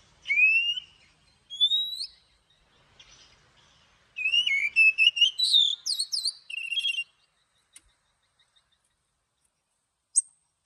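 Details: Morning song of an Oriental magpie-robin in the long-note forest-voice style: rising whistles open a fast, varied phrase of slurred, sweeping notes and quick chirps, then fall to scattered soft clicks and a final high note.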